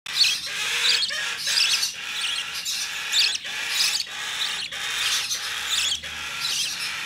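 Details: Hand-tame opaline budgerigar chick, recorded 25 November 2019, giving harsh, scratchy chirps repeated about every three-quarters of a second in an uneven rhythm, with a quiet background.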